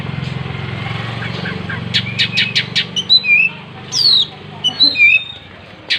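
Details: Oriental magpie-robin singing with its tail spread: a quick burst of dry clicking notes, then loud, sweet whistled slurs, some falling steeply, given in short bursts over faint background hum.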